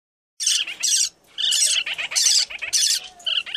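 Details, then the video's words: Young handfed lineolated parakeet begging food from a young yellow parrotlet just after being handfed; loud harsh raspy squawks in rapid bursts with short gaps, broadband and shrill. "Baby Linnie begs to baby parrotlet"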